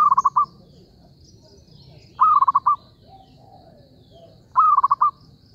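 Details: Zebra dove in a trapping context repeating its beaded, purring coo three times, each phrase a brief upswept note then a fast run of rounded pulses, with faint chirps in the background.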